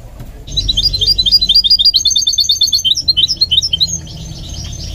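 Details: Continuous high twitter from a goldfinch mule being trained to sing: rapid, tinkling chirps strung together for about three and a half seconds, after a quiet start, over faint low hum.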